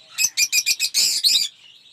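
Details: Caged aviary lovebirds, several colour mutations including Cinemon Opaline and Blue Aqua Rosy, give a quick series of six harsh, shrill screeching notes ending in a longer grating screech, all within about one and a half seconds.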